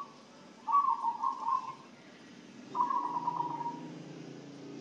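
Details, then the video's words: Zebra dove that has been given a herbal spice feed mix and is said to now sing diligently and be healthy; two rippling, stuttered cooing phrases about a second long, separated by a pause, over a low background hum. "Perkutut setelah di kasih pakan racikan ramuan rempah rempah jadi rajin manggung"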